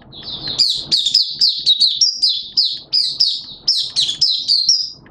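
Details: Malaysian Oriental white-eye kept as a song bird sings a fast, unbroken stream of high, sweet twittering notes that rise and fall, with faint low background rumble.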